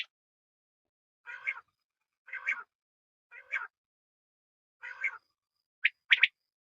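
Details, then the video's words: A quail gives five short, raspy, buzzy notes about a second apart, then two sharper, brighter notes close together, against a quiet background. "Batair Ki Awaz Quail Sounds"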